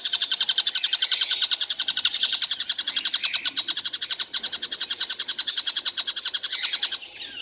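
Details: Tengkek buto kingfisher calling all day without stopping: a long, steady run of rapid, sharp, high notes repeated about three to four times a second, continuous for the whole stretch and fading slightly at the end.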